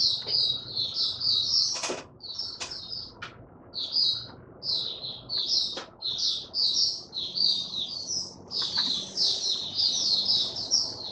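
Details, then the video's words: Opening song of a male white-eye steadying his form: short bursts of high, sweet twittering separated by brief pauses, with several sharp knocking clicks early on. "Mata Puteh Raja Stablizing his form buka sing"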